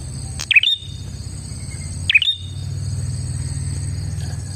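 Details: Prinia calling as a lure for other prinias: two crisp, high chirps with a quick down-up sweep, about 1.6 seconds apart, over a soft, constant low background rumble.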